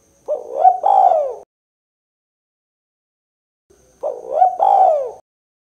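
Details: Two identical spotted dove coo phrases about four seconds apart, each a quick rising note and a longer falling coo, in the 'kuk 2' style used to lure and prompt birds, with silence between.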